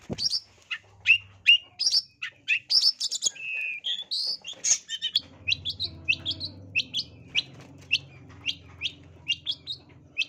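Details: Long-tailed shrike in full, busy song packed with mimicked fills, used as a lure: rapid sharp high chirps and short whistles at shifting pitches, a brief buzzy phrase mid-way, then clipped notes repeating about twice a second over a low hum.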